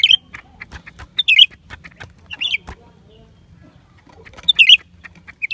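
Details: Lesser green leafbird giving a few short bursts of sharp, high chipping twitters separated by pauses of a second or more, against quiet low noise.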